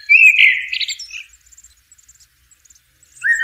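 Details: Blackbird in nature delivers a rich, mellow warbled phrase that rises and breaks into a scratchy twittering tail, followed by a pause with faint ticks before another clear whistled note starts.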